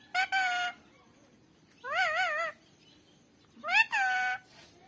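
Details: Pet green parrot voicing three drawn-out nasal, wavering harmonic calls, each about half a second long, separated by pauses of over a second.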